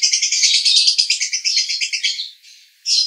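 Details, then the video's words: Konslet-style song of a male lovebird in Cibinong, Bogor: dense, rapid, high chattering pulses for over two seconds, then a brief drop and a fresh burst at the end. "Master Lovebird Jantan Konslet"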